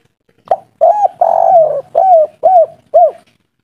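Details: Loud spotted dove in kuk-3 style, a wild local bird, raging and noisy: a soft opening note, then a long rough coo and four clipped, arching coos spaced about half a second apart.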